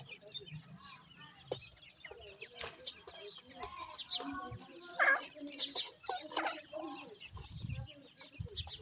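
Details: Francolin chicks known as dakhni teetar, eating and calling: scattered high peeps and chirps among clicks and light rustling, with a louder burst of notes around the middle.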